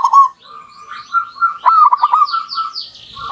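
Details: Local zebra dove pair in a lure duet: softer, overlapping coo phrases with a rapid run of short notes in the middle, backed by sweeping higher whistles from other birds.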